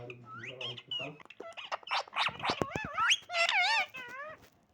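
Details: Parrot kept as a pet giving a string of rising, wobbling, tonal calls and squeaks. Harsh clicks lead into louder, quavering notes near the end, indoors.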